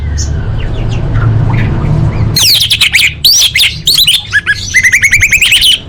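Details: Anis merah, the orange-headed thrush, in a masteran training recording for cage birds. After two seconds of faint distant chirps, a loud run of varied phrases follows: quick clipped notes, then ringing, slurred whistles. A low hum sits underneath.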